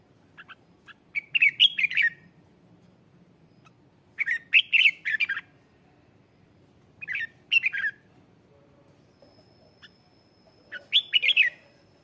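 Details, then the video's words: Red-whiskered bulbul singing as a lure bird to draw in wild bulbuls: four short phrases of bright, warbled whistles spaced about three seconds apart, with faint background hum and a thin steady tone late on. "Tiếng chào mào mồi hót gọi bổi má trắng, kích bổi sổ bọng hót căng lửa"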